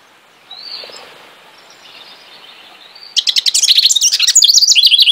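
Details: House wren: a thin, faint, high note over quiet background, then after three seconds a loud, rapid, bubbly song of tumbling high notes that runs to the end.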